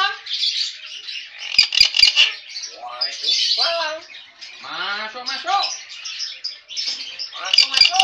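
A cockatoo mimics the call to prayer in a hoarse, wavering, voice-like chant, broken by harsh raspy screeches and a few sharp clicks.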